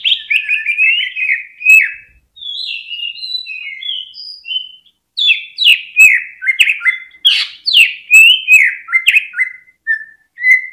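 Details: Lure song of a greater green leafbird for pushing other birds into full singing: a long, varied medley of slurred whistles, squeaky high notes and emphatic falling phrases, delivered fast with few breaks.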